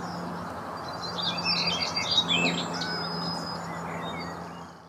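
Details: European bee-eaters (Merops apiaster) in North Rhine-Westphalia, Germany, on 11 May 2017 at 12:55, give soft, rolling, trilled 'prruip' calls, several overlapping in quick succession, over a steady low hum.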